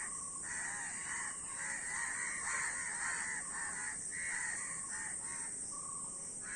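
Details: Several crows cawing in harsh, nasal bursts, calls overlapping irregularly, with a few longer drawn notes and a steady hiss in the background.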